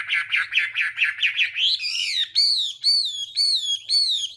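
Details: Morning-trained Chinese hwamei: a fast series of harsh, buzzy chattering notes, then a long warbling slide, followed by loud, clear, downslurred whistles repeated about every half second.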